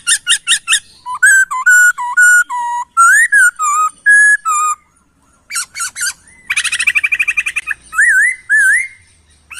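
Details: Laughingthrush master song for training birds: quick repeated hooked notes, loud level and stepped whistles, then a fast rattling burst of about fifteen notes and closing rising whistles.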